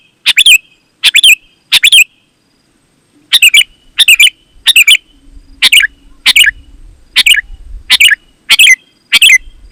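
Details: Sooty-headed bulbul singing vigorously, a recording meant to call other bulbuls into singing: loud, bubbly chirped phrases of two or three quick notes, repeated roughly every second with brief pauses, and a faint low hum in the background.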